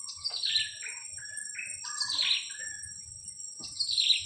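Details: Blue-crowned hanging parrot chick about two weeks old, used for luring, utters loud shrill kiak calls that slide downward, about three bursts spaced a second or two apart. A high insect whine persists.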